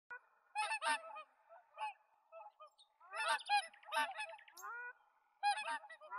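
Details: Whooper swan giving loud, nasal, honking calls in short bursts, several birds overlapping with rich, layered tones; quieter high chirps and a short trill from other birds fill the gaps.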